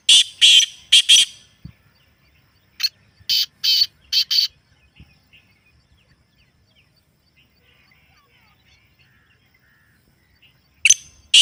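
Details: Black francolin, natural recording for getting a kept bird to call: two loud grating phrases of rasping, buzzy notes several seconds apart. Soft twittering of other small birds in between, and a sharp note at the end.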